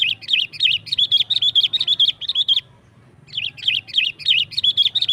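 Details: Sooty-headed bulbul singing in the energetic 'gacor nggaruda' style, a song used to call wild bulbuls in the forest and to tutor kept birds: rapid bubbly chirped notes repeated in a long string, a brief pause, then the run resumes.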